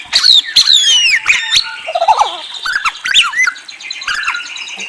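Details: White-rumped shama producing sharp descending whistles, buzzy fragments and quick slurred notes, a rich jumble of high and mid-pitched phrases with short gaps.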